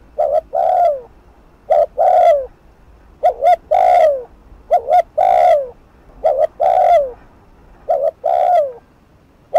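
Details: A long run of rapid 'thúc gù' cooing from a spotted dove, used to rouse decoy birds: about seven paired phrases, each a brief double coo, then a sustained, low, sliding coo. The rhythm is steady.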